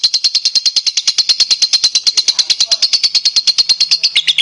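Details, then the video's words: Gacor song of a lovebird, played to coax other lovebirds into singing: continuous rapid train of high, rasping chirps at an even rhythm, closing with a short, slightly lower flourish. "SUARA PANCINGAN LOVEBIRD"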